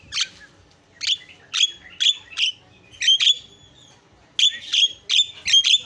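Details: Javan myna giving harsh, chattering notes in short bursts, some with a whistled ring, clustered in pairs and threes with brief gaps.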